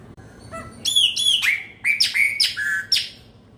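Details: Chopi blackbird, called pena branca, singing at the turn from the old year to the new: a loud series of clear whistled notes, several sliding downward, some with sharp upper overtones, delivered in quick bursts over a quiet background.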